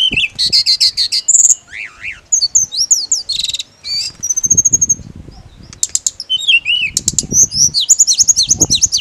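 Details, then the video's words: Mountain leafbird singing zigzag whistles, fast trills and high squeaky notes, with a low rumbling background noise in places. "TERAPI ATASI TLEDEKAN GUNUNG HANYA NGIRIK"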